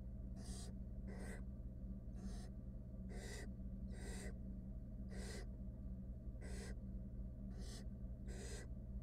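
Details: Barn owl nestlings with their mother in a wild, monitored nest box make a rapid run of about ten short, breathy hisses, roughly one per second, above a low steady hum.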